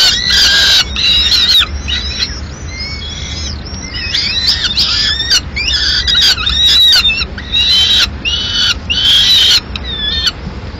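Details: Madrid peregrine falcon nest at mid-morning as the female lands with pigeon scraps: an excited jumble of squealing, chattering and bending notes, one opening wail, then bursts separated by short pauses.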